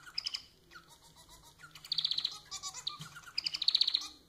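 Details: Loud song of a pet society finch (Lonchura striata domestica): a sharp note, soft lower twitters, then two long runs of fast, high, buzzing pulses that rise in volume toward the end.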